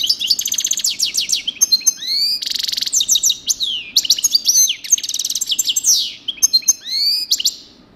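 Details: European goldfinch sings a long coupleur-style passage: tight buzzy trills, rapid liquid twittering, rising whistled slurs and tinkling chatter, in phrases of one to two seconds.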